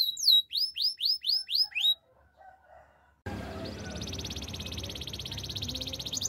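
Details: Canary during singing practice: a row of seven quick, rising whistled notes, then a near-silent pause, then a loud, dense, buzzy high trill over broad noise.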